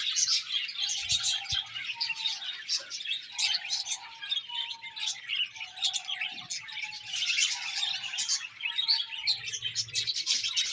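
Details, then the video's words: Budgerigars keep up a constant high chatter of squeaky, buzzy notes, with short, flat, low tones recurring every second or so beneath the flock. "Beautiful Budgies Chirping Sounds"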